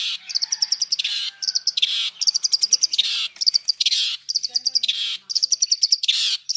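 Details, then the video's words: Cendet, or long-tailed shrike, delivering a full mixed fill song. Rapid trilled runs of high chirping notes, each lasting about half a second, alternate with harsh buzzy bursts throughout, sounding almost cricket-like. "Suara Cendet Campuran Isian Full"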